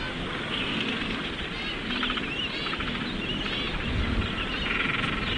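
Many penguins call at once, harsh, brassy and braying calls overlapping into a dense colony din over steady background noise.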